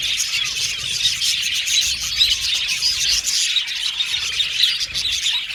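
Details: Budgerigar aviary colony chirping continuously, a thick mass of high twitters and little squeaky notes from many birds overlapping without pause.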